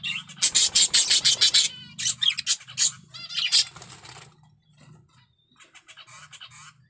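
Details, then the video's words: Excited male budgerigar in breeding condition delivers a rapid run of clicking, scratchy pulses, about three per second, then looser squeaky chatter that fades into softer twittering, with a constant low hum beneath. "Suara Burung Parkit Jantan || BIRAHI PARAH"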